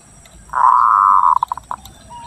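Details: Local zebra dove from Lampung, recorded to lure birds and stimulate breeding: a steady rolling coo of nearly a second ending in a few spaced staccato notes, then a short soft whistle.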